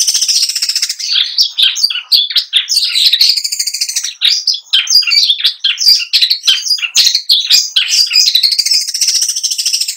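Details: Long-tailed shrike contest bird rolling nonstop through its mimicry-filled song. A continuous, rapid jumble of scratchy chatter and twittering notes runs without a break.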